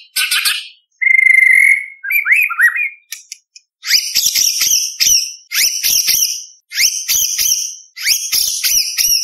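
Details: White-rumped shama in full song with competition fill material, for tutoring speckled juveniles: an opening harsh note, one clear sustained whistle, slurred rising notes, then a regular series of bright, chattering whistled phrases about once a second.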